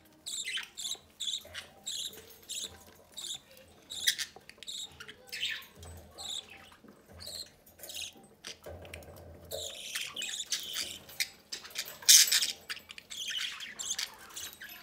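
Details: Pet budgerigar chicks at the nest while their parents feed one of them from the nest entrance: bursts of rapid, buzzy, high chirps in quick runs with short pauses, growing louder and denser near the end.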